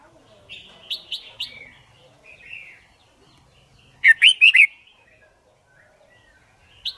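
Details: Red-whiskered bulbul, trained to learn song quickly for competition singing, gives three short clear whistles, a soft warble, then a loud run of four rapid looping whistled notes and one last high whistle.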